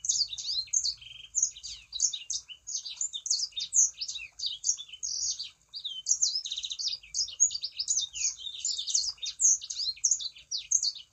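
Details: Sangihe shrike-thrush song used as a lure to get other birds to join in: a continuous stream of fast, high-pitched chattering notes, sharp slurs and trills packed tightly together across the whole stretch.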